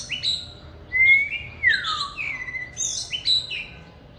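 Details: Oriental magpie-robin singing and dancing eagerly at a keeper's home: a clear rising whistle leads into a loud descending slur, followed by bursts of buzzy, high-pitched warbled phrases with short pauses.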